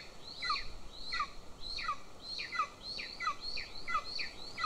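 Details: Golden eagle chick begging at a nest camera in Northern Estonia while the female feeds its older sibling; repeated high, thin, downslurred squealing calls roughly every 0.7 seconds over faint background hiss.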